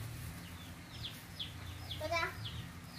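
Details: A wild but tame, free-living Javan myna that lives alongside people gives quick, high, down-slurred notes about every half second, with one harsher harmonic squawk; low murmuring voices and rumble underneath.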